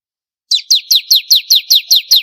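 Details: Lively bar-winged prinia song meant for tutoring competition birds: a steady run of nine loud, piercing notes, each sliding downward, evenly spaced at roughly four per second, nothing else audible.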